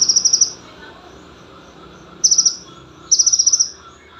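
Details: Small olive-backed sunbird (konin) singing as tutor material for training other songbirds: three separate bursts of very high, rapid ticking trills, each five to eight quick pulses, separated by pauses of one to two seconds.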